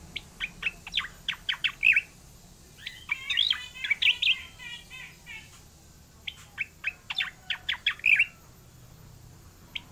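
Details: Oriental magpie-robin in full, active rolling song: phrases of rapid, sharp whistled notes and trills, rising and falling, with short pauses between bursts.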